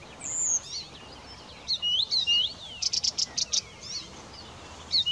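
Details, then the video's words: Blyth's reed warbler sings a varied, fast run of high whistles, slurred notes and short repeated buzzy chips, with faint background hiss. "Viitakerttunen laulelee"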